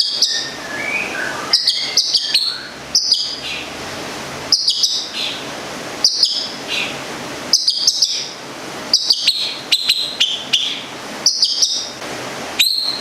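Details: Long-tailed shrike, a local Gedong Songo bird from Central Java kept for its song, repeating short sharp high phrases about every one to one and a half seconds, with a few lower whistles early on.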